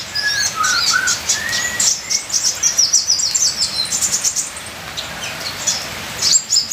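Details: Ninja sunbird song: a few lower whistled notes open, then dense, very high chattering chirps in quick succession, with a soft steady hiss like rain behind.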